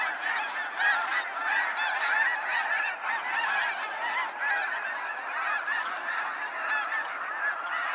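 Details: Huge numbers of snow geese on their sunset fly-out from Sacramento National Wildlife Refuge, calling together in an unbroken, pulsing din of sharp nasal honks.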